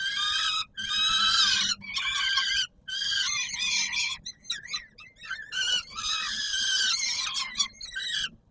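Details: Peregrine falcons at the Palace of Culture and Science in Warsaw, Poland, recorded 17 July 2022 at feeding time, supper. Loud harsh wailing screams in long bursts separated by brief pauses, strongly harmonic and grating, with shorter choppy notes mid-clip.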